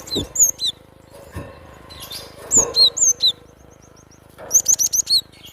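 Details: High-pitched whistling song of a wild cinereous tit: clear sliding notes in quick groups, a faint thin series of tiny ticks, then five evenly spaced sharp chirps; light thuds underneath.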